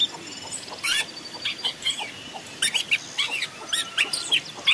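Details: Decoy song of a long-tailed shrike in forest: a busy run of quick chirps, short whistled slurs and clicky high notes, delivered in rapid irregular bursts, with soft background hiss throughout.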